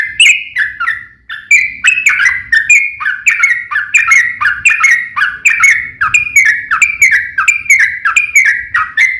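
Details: Yellow-vented bulbul giving a long, rapid fighting song to lure others into replying: a brief opening phrase, a short pause, then an unbroken flow of bubbly, downslurred notes for about eight seconds.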